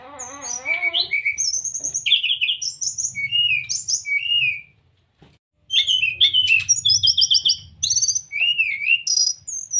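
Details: Master song of the brown-chested jungle flycatcher, played to coax caged birds into opening their beaks and copying. Fast run of clear, high whistled notes, some trilled and some slurred downward, broken by a short silence midway.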